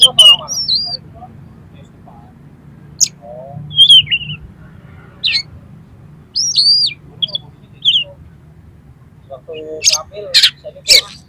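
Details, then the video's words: Oriental magpie-robin, singing rough filler material to excite another magpie-robin, gives scattered sweeping whistles and short chirps with long pauses, ending in a cluster of sharp notes over a low hum. "SUARA KACER FULL ISIAN MATERI KASAR-KASAR !! COCOK UNTUK MENAIKAN EMOSI KACER"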